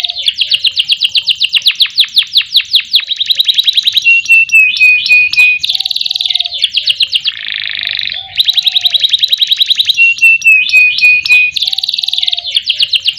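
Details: Canary, local orange and yellow birds, singing a lure song meant to make other songbirds sing day and night: fast rolling trills of repeated high notes, a buzzy descending chatter, then trills again.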